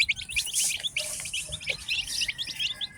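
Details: Newly hatched chickens, a batch of ten chicks on a farm, chirping constantly: dense high, short descending peeps overlapping rapidly, many voices at once.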